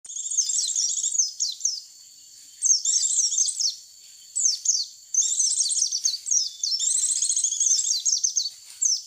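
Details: Lure recording of white-eyes (pleci) used to attract the birds: bursts of rapid, high, thin twittering and chirping notes in long runs, broken by short pauses near two and five seconds.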